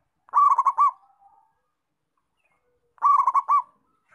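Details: Zebra dove of local stock singing: a rapid stuttering string of rolling coos, then a drawn-out final note, repeated once after a pause of about two seconds; quiet background.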